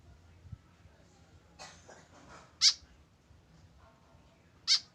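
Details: White-breasted woodswallow kept tame and alone, calling twice with sharp, harsh, nasal notes two seconds apart, preceded by a brief rustling noise.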